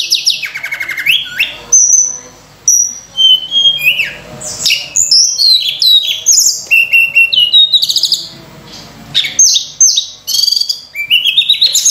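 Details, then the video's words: Sunda robin singing an energetic, richly varied song meant as a lure for training other birds: high whistled notes, slurred falling phrases, rapid buzzy trills and sharp chips in quick bursts with brief pauses. "tledekan gunung gacor full isian mewah‼️untuk pancingan"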